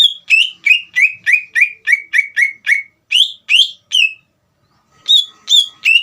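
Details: Lure song of a Greater green leafbird, meant to stir a young leafbird to answer at once: a long string of about twelve sharp, descending whistles, then three higher swooping notes, silence, and three more whistles.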